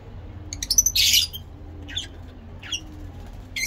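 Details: A harsh, buzzy squawk from a lovebird stands out among quick high squeaks and short shrill notes, with faint low cooing behind.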